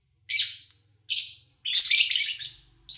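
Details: Lovebirds, recorded August 2019 while their owner travelled: two separate shrill chirps, then a loud, nearly one-second burst of dense raspy chatter, followed by another sharp chirp.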